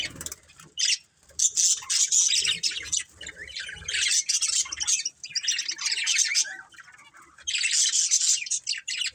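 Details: Colourful budgerigars in a family flock chatter almost nonstop, a busy, buzzy, high-pitched warble of rapid chirps and squeaks rising and falling in loudness, with brief lulls.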